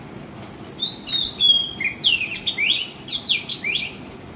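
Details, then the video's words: Male Oriental magpie-robin singing in the morning: a run of clear, sweet whistled phrases that slur up and down, some sliding notes alternating with quick rising and falling twists, over a soft steady background hiss. "Melodic appearance of Oriental Magpie Robin Male"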